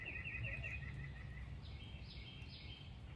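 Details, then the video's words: Red-headed woodpecker in an Alabama backyard, squawking to drive off a cat, dogs and a person sitting near its suet feeder; a fast string of sharp repeated chirps that fades into fainter notes against low rumbling noise. "Alabama Woodpecker (in my backyard) Tells My Cat, My Basenjis & Me to Go Away"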